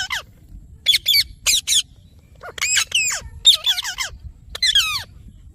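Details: Indian ringneck parrot giving sharp, high squawking chirps, several short harsh notes in quick clusters with gaps between, over a low background hum.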